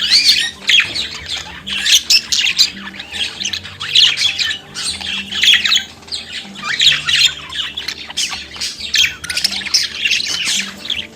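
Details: Budgerigar singing and chattering continuously: dense, grating squawks and buzzy warbles in quick pulses, keeping up an unbroken, busy chatter, over soft steady low tones.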